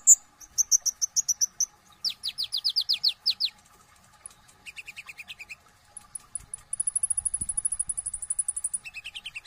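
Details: Brown-throated sunbird (kolibri ninja) singing in full ngobra style with tembakan bursts: high whistled chips, fast descending slurred notes, a lower stuttering series, then a long rapid high trill ending in lower warbles.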